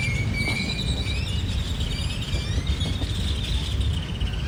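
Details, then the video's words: Several grackles in Santa Ana, near San José, Costa Rica, give overlapping high whistles and rising, slurred squeaks, with a steady low rumble of wind or traffic underneath. "grackle birds making noise"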